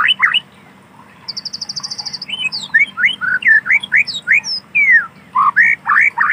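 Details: White-rumped shama singing in wild natural forest: a fast high trill of about a dozen even notes, then a lively stream of varied slurred whistles, some sharp and some downward-sweeping.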